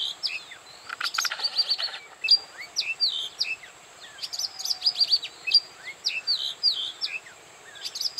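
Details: Oriental magpie-robin singing at Bada, North 24 Parganas: a lively run of clear, varied whistled phrases, with short rising and falling notes and quick repeated chips in bursts, over a steady high thin tone in the background.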